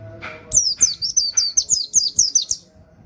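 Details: Master recording for training songbirds: an Oriental white-eye singing in the rapid 'nembak' style with 'wit wit' canary-like phrasing. A fast string of bright, high descending notes lasts about two seconds, with faint low background hum.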